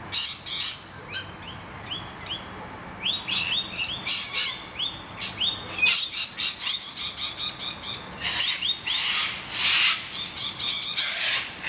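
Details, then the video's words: During a noisy miner attack on their nest hollow, rainbow lorikeets screech among a busy chorus of short, sharp, downslurred chirps from other birds, with dense grating bursts near the middle and end. "Rainbow Lorikeets defend their hollow"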